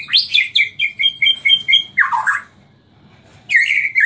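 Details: Bornean white-rumped shama (Murai Borneo), Samarinda, nyangkul and roll tembak song style: a fast run of repeated sharp whistled notes, a harsh downward-swept phrase, a pause, then a loud rich warble.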